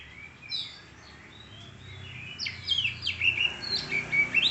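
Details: Oriental magpie-robin (kacer) song: a quiet start, then loud, sharp whistled notes and quick downward-sweeping chirps, some buzzy, coming about once a second over a low steady background hum.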